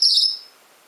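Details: A male Gouldian finch gives one very high, thin, slightly wavering note lasting about a third of a second, fading into quiet hiss; he repeats this sound often, sometimes for over an hour.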